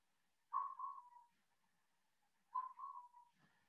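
Burrowing Owl giving two hooting calls two seconds apart, each a stuttered start running into a quick, slightly descending bouncing series of mid-pitched notes.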